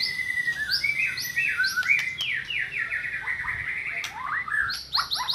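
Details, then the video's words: White-rumped shama singing, played to coax a quiet bird into song: rich varied whistles, falling slurred notes and quick repeated chips, over faint background hiss and a few clicks. "JAMIN MURAI BATU BISU LANGSUNG NYAUT"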